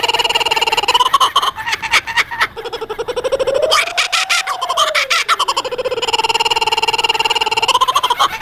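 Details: Kookaburra call resembling human laughter: a continuous rolling chuckle of quick pulsed notes, swelling into a loud cackle with a long arching hoot, then settling back into rhythmic, steady chortling.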